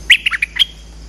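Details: Bulbul lure call used to attract birds: a quick run of four or five sharp, high chirping notes within about half a second, the last note drawn out into a thin, fading whistle.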